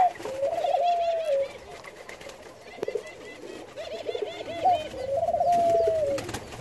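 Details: Jamaican white-crowned pigeons during hand feeding: wavering, quavering mid-pitched whistled notes in short bursts, separated by quieter gaps with faint higher chirps and handling noises.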